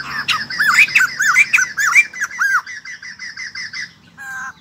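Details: Captive white-crested laughingthrush, freshly wild-caught, pouring out a loud chattering laugh of arched notes that settles into a steady train of quieter repeated notes before a short harsh burst.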